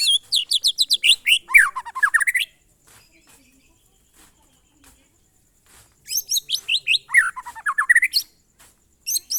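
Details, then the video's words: White-rumped shama (murai batu) singing the monotonous style known as glondong: bursts of rapid repeated notes with a descending then rising sweep, about 2.5 seconds long, pausing, then repeating. "suara burung murai batu "MONOTON"alias GLONDONG"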